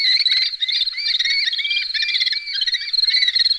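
Red-footed falcon giving a shrill, rapid chatter of high, arched notes, repeated several times a second without pause, possibly with more than one bird calling together.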